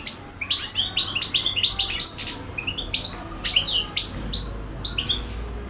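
A European goldfinch sings a rapid, tinkling stream of twittering notes and liquid trills, high and bright, with quick buzzy bursts between clearer phrases.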